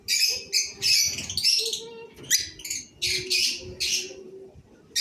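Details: Cobalt mutation masked lovebirds giving bursts of sharp, high chirps and twittering notes in quick clusters separated by short pauses, with a faint steady low hum underneath.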